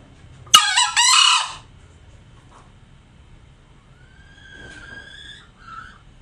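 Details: Tame green junglefowl crowing: a single harsh, broadband burst of about one second, followed by faint whistled notes from other birds.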